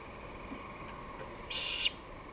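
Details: A great horned owl gives one harsh, hissing screech lasting under half a second over a faint steady hum, recorded 23 May 2018 at 5:53 pm.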